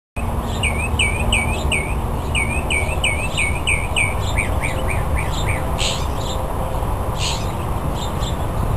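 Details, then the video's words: Male northern mockingbird singing and dancing to attract a mate at the Cal State Fullerton Arboretum; a series of repeated looping, warbled phrases, each motif given several times before switching, over strong low rumbling background noise. "Male Mocking Bird Attracting a Mate"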